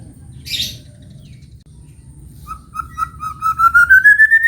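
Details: White-rumped shama in morning song: after a short high rasp, a steady series of short whistled notes rising gradually in pitch and growing louder, over low background hum.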